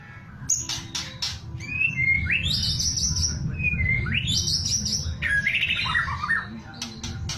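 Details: Rattling kretekan song of a white-rumped shama: repeated upward-sweeping high whistles held briefly, short lower notes between, and a warbled closing phrase, with sharp clicks and a steady low rumble.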